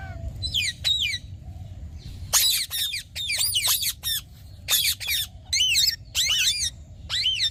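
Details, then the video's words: Green talking parrot producing bursts of chattering, buzzy squawks in clusters separated by short silences, each burst made of several scratchy wavering notes. "Green Talking Parrot | Cute Parrot Sound"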